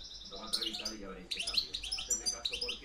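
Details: European goldfinch, campero reclamo style, 2013-2014: ringing high twittered notes broken into quick chirpy bursts, with a faint low tonal hum in the background.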